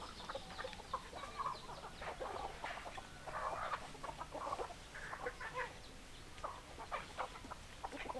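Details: Hens clucking together: mid-pitched clucks and drawn-out croaking notes come in clusters from several birds, forming a steady murmuring chatter.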